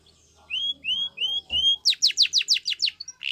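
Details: Spanish Timbrado canary training song: four drawn-out rising whistled notes, then a quick series of sharp descending sweeps, with a soft knock heard midway.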